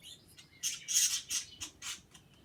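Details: Pet birds chirping and making kissing sounds; a run of five or six loud, harsh, high-pitched chirps about a quarter-second apart, indoors.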